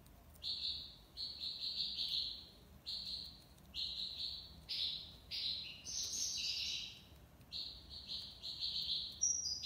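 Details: Algerian European goldfinch from Algiers singing the tiwawati style: steady sequence of bright, buzzy twittering phrases roughly every second, some notes rising and jangling higher, over quiet surroundings.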